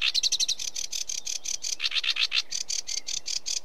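Sedge warbler giving a fast, scratchy chattering song of harsh clicks and buzzy notes, with quick runs changing pace throughout.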